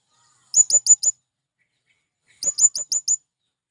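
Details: Male blue-crowned hanging parrot calling to draw in wild birds: two quick bursts of very high, sharp, thin notes, first four then five, about two seconds apart, against a silent background.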